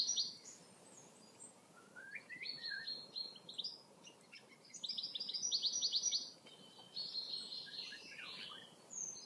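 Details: Common chaffinch singing: bright, rapid trilled phrases of repeated notes, each about a second long, given several times in a row, with other small birds chirping faintly in the background.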